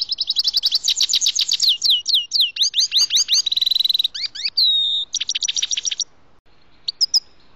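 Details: Grey-headed goldfinch song heard while trapping: an almost continuous run of high, rapid twittering with downslurred notes, a buzzy drawn-out note, and a few sparse chirps at the end.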